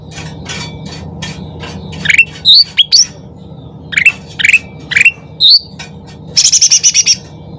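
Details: Sooty-headed bulbul lure song at full volume: faint chatter, then a string of clear rising and falling whistled notes, closing with a rapid ringing trill of some eight notes, with persistent background hum.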